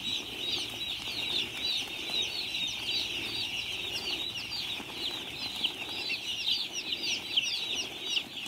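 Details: Many baby chicks peeping together on a farm, an unbroken wash of shrill, rapid chirps with occasional soft fluttering and shuffling.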